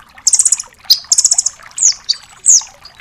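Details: Tutor song of a velvet-fronted nuthatch in 'tembakan' style: a fast rattling trill of high notes, a second trill, then two downslurred piping calls.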